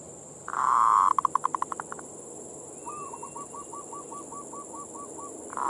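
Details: Zebra dove (perkutut) singing in manggung style, played as bait to stir local perkutut into breeding mood. A loud burst and a quickening run of pulses are followed by a fainter string of about a dozen short, even coos. A steady high hiss runs throughout.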